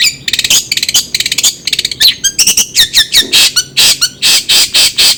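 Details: Long-tailed shrike in rapid, scolding chatter: fast ticking rattles give way to loud, harsh rasping notes repeated several times a second.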